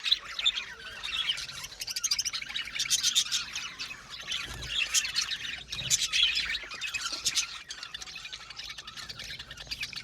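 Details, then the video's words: Budgerigars in an aviary colony chirping together: a dense, overlapping chatter of high squawks and tweets, rising and falling in loudness bursts roughly every second, with no other sounds standing out. "Budgie amazing chirping sound | Budgies calling sound to make him happy"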